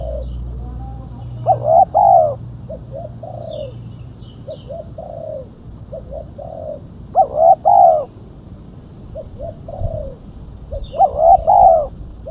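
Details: Female spotted dove call used as a lure: soft, low cooing notes in short groups, with louder, stronger two-part coos at about 1.5, 7.5 and 11 seconds. A faint higher chirp from another bird is heard in places.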